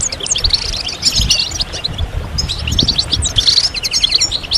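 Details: European goldfinches singing together, a group 'sitsita' and 'bitbita' chorus meant to stimulate males to sing and come out of moult. Dense overlapping high twitters and tinkling notes, with soft low rumble underneath.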